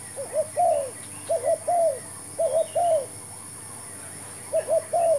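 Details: Spotted dove used in trapping with a fresh decoy bird; three clear three-part phrases of two quick coos and a longer falling note, spaced by pauses of about half a second.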